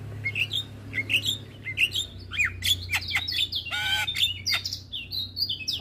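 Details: Energetic song from a captive male Javan myna that bobs its head: a jumble of squeaky chirps, sliding whistles and a burst of grating buzz, continuous and chattering throughout.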